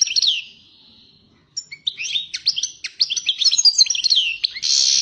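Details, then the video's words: European goldfinch opening with a falling slurred note, then a rapid run of sharp metallic chirps and trills, ending in a buzzy sustained rattle. "Καρδερίνα πυρωμένη!! ( Carduelis Carduelis )"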